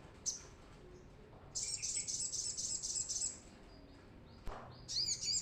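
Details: Brown-throated sunbird singing energetically, used to lure and train newly caught birds: one sharp chip, then a sustained high, rapid, tinkling trill for about two seconds, and a final brief twittering burst.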